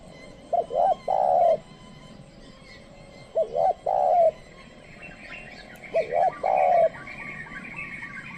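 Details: Trained spotted dove lure calling wild doves, which stay away. Three similar phrases about every two and a half seconds: two short hoarse notes, then a long falling coo. Faint chirps from other small birds in the background.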